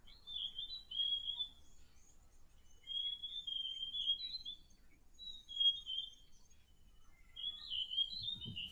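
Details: Played recording of a Forest Robin from West African forest, the male's territorial call used to attract another male or defend territory: a run of four sweet, wavering whistled phrases at steady high pitch, separated by short gaps, with a brief low thump at the end.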